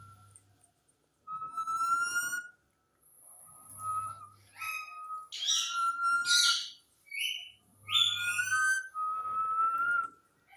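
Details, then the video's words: A whistling parrot gives steady, slightly rising tonal whistles, broken by bursts of harsher, buzzy chatter and squeaky notes, with a faint low hum underneath. "Siti marne wala tota"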